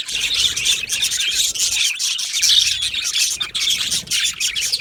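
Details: Continuous high-pitched warbling and twittering from a colony of yellow male budgerigars kept in an aviary, rapid chirps overlapping into a busy, scratchy chorus.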